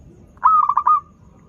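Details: A brief melodious coo from a local zebra dove used to lure learning doves: a strong first note, then a tight series of rolling stutters tailing off into quiet.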